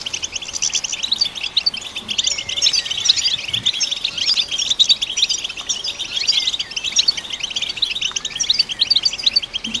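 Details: Steady, rapid twitter of a European goldfinch, sung to stimulate goldfinches; crowded high chirps, trills and brief buzzy slurs run on without a break.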